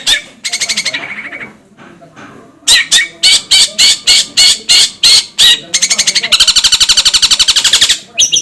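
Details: Long-tailed shrike song used as a master recording for training birds to sing readily: rasping, buzzy broadband bursts, first a long trill, then a fast run of short harsh notes, ending in a sustained grating buzz.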